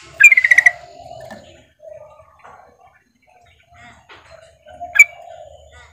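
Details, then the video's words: Calling for the male, a female sooty-headed bulbul opens with a fast bubbly trill. Softer warbled notes follow, and a single bright note sounds near the end. "trucukan betina memanggil jantan"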